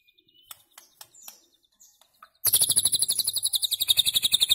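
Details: Shama, the white-rumped shama, recorded to tutor goldfinches and hybrids: scattered soft ticks, then a sudden loud, even, high trill of rapidly repeated buzzy notes, about four per second or faster.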